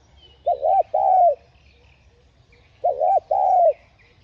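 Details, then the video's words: Spotted dove coos, used to stir other doves into cooing. Two matching phrases about two and a half seconds apart, each a hurried two-part note and then a drawn-out, gently sliding hoot. Faint higher bird chirps sit behind them. "Tiếng Cu Gáy Giọng Hạp BổI Đủ Bài [GỌI + THÚC + GÙ ] kích Bổi Nhanh Nổi.Mở lên là bổi gáy.cu đất gáy"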